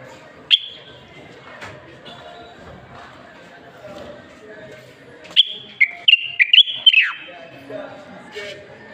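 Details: Moroccan black bulbul, a common bulbul, gives a single quick phrase of clear whistled notes near the middle of the recording, ending in a downward slur, after mostly quiet background with faint scattered notes.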